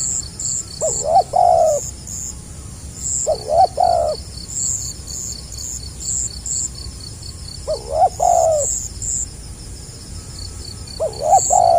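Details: Spotted dove singing in the 'gagap rapat selang nguku' stuttering style, 2020: four low coo phrases about every three seconds, each with quick stuttered short notes running into a longer drawn-out coo. Insects pulse steadily high above.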